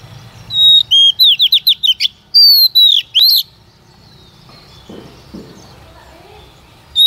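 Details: Female white-rumped shama singing to stimulate a male: a clear whistle, a quick run of about eight downslurred notes, two drawn-out whistles, then quiet with a faint low sound.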